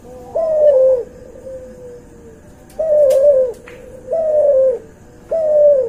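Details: Barbary dove hybrid of albino white and pelung lines, recorded as masteran: four loud, low coos, each about half a second and gently falling, separated by quieter sustained tones, with a few faint clicks.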